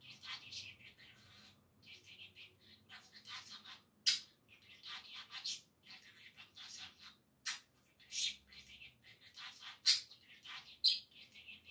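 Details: A budgerigar chatters in rapid, high, scratchy bursts, mixing warbles with mimicked speech-like phrases.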